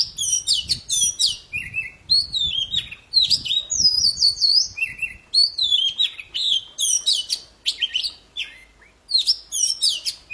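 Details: Chatty poci bird singing continuously, meant to spur silent poci to sing: long sequence of fast, varied whistles, chirps and trills in repeated bursts, each phrase under a second, barely pausing.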